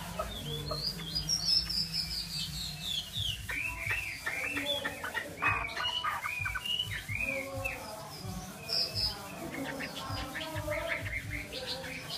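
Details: Chinese hwamei singing a long, varied phrase: high descending whistles, then a jumble of quick slurred notes and harsh chips, lively throughout, with a soft low hum behind.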